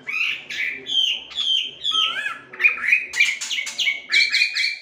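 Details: Chinese hwamei, or wambi, a melodious laughingthrush trained to sing, delivers rich whistled phrases with bending, wavering notes, short buzzy bursts and quick repeated slurs in a continuous varied stream.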